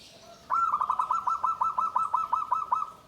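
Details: Caged zebra dove in a bamboo cage, its song described as guaring, atos, banter, tembus: a sudden start, then a fast, even series of about fifteen clear, mid-pitched cooing notes held on one level pitch.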